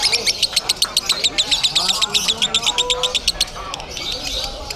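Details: At a Bandung singing contest, a lovebird gives a very fast, regular series of sharp, high chirps in a rattling trill, then a looser jumble, with men talking and a few lower whistles behind.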